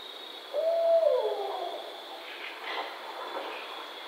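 A barred owl gives one drawn-out, mid-pitched hoot that slurs downward at the end and echoes briefly, over a steady high insect drone.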